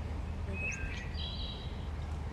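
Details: A migratory Wood Thrush (Hylocichla mustelina) in the Georgia wilds at dusk during migration season sings a brief phrase of clear, flute-like whistles that climb higher and end in a metallic, robot-like trill, over a steady low rumble.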